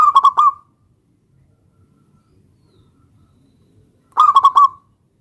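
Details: Cooing of a local zebra dove calling out to a rival: a rolling phrase of bubbly notes at the start, then about four seconds of quiet before a second matching phrase.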